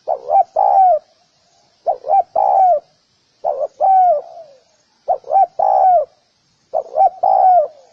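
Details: Spotted dove calling: repeated phrases of two short low coos followed by a longer drawn-out coo that slides downward, each phrase about 1.2 seconds, given five times with gaps of roughly half a second; no other sounds.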